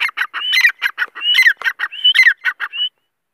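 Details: A female grey francolin gives a rapid, harsh run of grating notes mixed with short rising whistles, about a dozen notes in three seconds, then stops abruptly.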